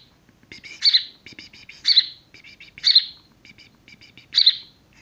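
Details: A young, barely feathered House Sparrow, found apparently abandoned and being hand-reared, gives loud, harsh chirps about once a second, each preceded by a quick run of softer stuttering notes.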